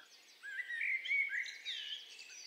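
A male blackbird sings a brief, mellow warbled phrase that slides and flutes, then ends in a thinner, higher twitter, over faint background hiss.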